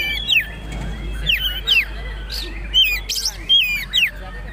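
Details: Oriental magpie-robin (kacer poci trotol) giving tutor song for caged birds: loud downslurred whistles repeated about every half second to second, over a steady low hum.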